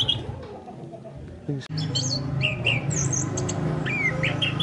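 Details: Orange-headed thrush song used as a lure recording. Varied clear whistled phrases come in quick succession, some rising and some falling, and several slurred notes are repeated. A steady low hum runs underneath, and there is a brief click near the middle.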